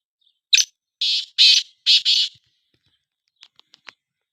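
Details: Black francolin, locally kala teetar, from a two-bird calling comparison: one sharp introductory note and then three rough, hoarse notes, the final one doubled, followed by a few soft clicks.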